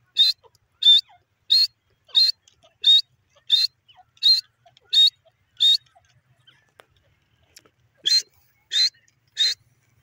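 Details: Grey francolin, known locally as teetar, calling. Loud, high-pitched notes come about every 0.7 seconds: a steady series of eight, a short pause, then three more. The background is quiet.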